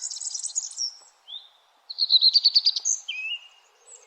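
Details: Birds chirping at sunrise in the early morning: a high buzzy phrase, a short rising whistle, then a fast series of pulsed trilled notes and a sliding whistle, over a faint low hum.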